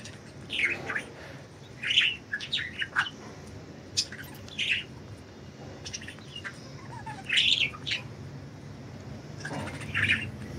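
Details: Budgies enjoying freedom in flight utter isolated bright chirps and short warbled groups every few seconds, with quiet gaps and a soft background hiss between calls.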